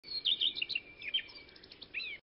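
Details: Common redstart calling: a rapid string of thin, high chirps and short whistled notes, some squeaky and some slurred, with a faint steady whistle running underneath and a rising note near the end.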